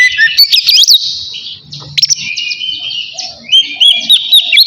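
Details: Oriental magpie-robin in ngeplong song, calling to a rival. Buzzy, wavering high phrases open, then softer scratchy notes, ending in a few clear slurred whistles.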